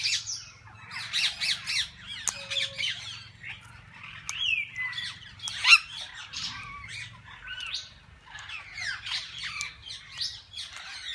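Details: Parakeets of various kinds in a walk-in parrot-park aviary, fed and handled by visitors; scattered bursts of scratchy chatter and squeaky chirps from several birds, with short pauses between outbursts and a faint low hum.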